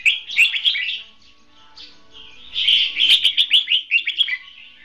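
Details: Red-whiskered bulbul, a caged decoy bird used for trapping, singing in a competitive style: two bursts of rapid, warbled, chattering phrases high in pitch, separated by a quieter pause, with faint steady hum beneath.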